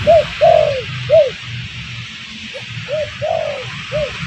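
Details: Spotted dove used as a lure call to attract birds: soft hollow coos in a broken phrase, two quick arched notes, a longer drawn-out falling coo, then a pause before further short coos, over a low steady hum.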